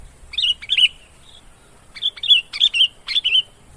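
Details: Sooty-headed bulbul lure call: a few bubbly, slurred chirped phrases, spaced out, with a short whistled note between groups and a quiet background.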